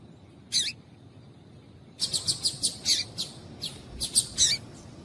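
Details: Calling female double-collared seedeater whose notes are meant to make males sing: one high chip, a two-second pause, then a rapid burst of bright, clipped chirps repeated several times a second.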